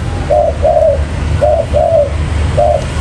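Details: Spotted dove lure recording: two clear mellow phrases of a short coo followed by a longer falling coo, then a single coo, over quiet low hum.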